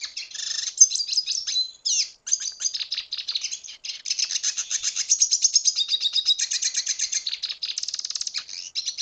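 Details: Red siskin (Spinus cucullata) from Venezuela singing: a rapid, almost unbroken high twittering of buzzy trills, chattering notes and sweet whistled phrases for about nine seconds, with one brief pause near the two-second mark.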